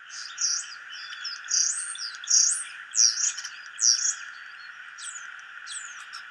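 A starling gives a run of bright, high whistles and chirps, about one every second, some sliding up and down, over a steady background hum.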